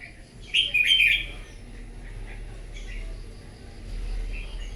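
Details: Wild-caught red-whiskered bulbul singing competitively in the morning: one short, bright burst of warbled, slurred whistles lasting under a second, then only a low background hum.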